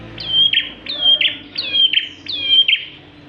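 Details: Bar-winged prinia in strong song, used to lure other birds: four loud, high phrases, each a short sweep into a level whistle ending in a sharp buzzy accent, repeated steadily about every 0.8 seconds.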